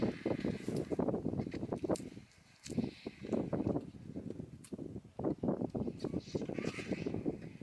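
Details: A throng of vultures jostles at a lion carcass on day three of four. Harsh, gravelly hisses and grunts follow in choppy runs, with a brief lull in the middle.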